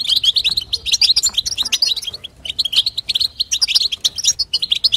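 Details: Female European goldfinch chatter, played to prompt a male goldfinch to sing: dense, bright twittering of rapid high notes, almost unbroken, with a brief lull near the middle.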